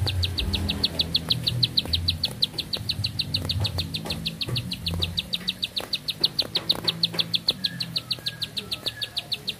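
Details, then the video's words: Bar-winged prinia holding one song a long time, a fast metronomic series of bright, piercing chips, roughly five or six per second, over a low rumbling hum. "Nafas Panjang, Nembak Satu Lagu, Ciblek Sawah Gacor"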